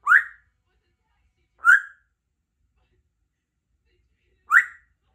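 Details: Three-year-old female Congo African grey parrot, a pet kept in a country home, practising words and sounds: three short rising whistles, the first two about one and a half seconds apart, then a longer pause before the third, with silence between.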